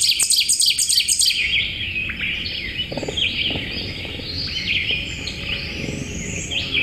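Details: An ovenbird, a forest-floor warbler often heard while hiking in forest at this time of year around Washington DC, gives a loud, rapid run of repeated high 'teacher' phrases, then stops, as a chorus of other songbirds goes on behind it.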